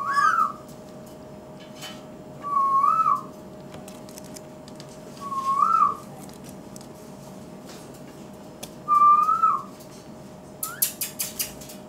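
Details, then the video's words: Pet ringneck parrot talking to its reflection in a mirror, seeming to take it for another parrot: four clear rising-and-falling whistled phrases, spaced about every three seconds, over a steady electrical hum. A few sharp clicks come near the end. "Awesome ringneck parrot voice"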